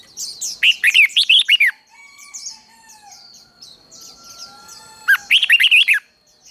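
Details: Red-whiskered bulbul singing a quick 'ché' contest phrase for training: a loud stuttering run of rapid warbled notes, a lull with soft whistles and distant chirps, then a second matching burst.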